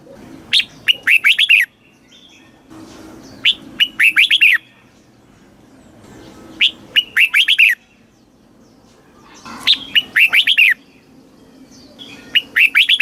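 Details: Red-whiskered bulbul in a cage in Thailand, southern master-song style for rousing birds and tutoring young: five evenly spaced phrases over thirteen seconds, each a rapid string of bright, warbling whistles.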